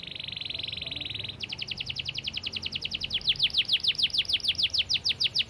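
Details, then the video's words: Canary singing fast and tight: a steady buzzing trill, then a long series of rapid repeated chips that grow louder toward the end. "Masteran Kenari Gacor Speed Rapat‼️Durasi panjang dan jernih"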